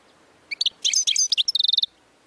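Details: European goldfinch singing, recorded to teach other birds: a few sharp chirps, then jumbled twittering notes, ending in a quick run of about eight even, high ticking notes.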